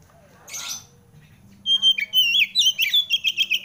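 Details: Male oriental magpie-robin singing while seeking a rival: after a brief scratchy note and near silence, a run of loud clear whistled notes, some sliding and varied, repeated quickly with a steady faint low hum behind.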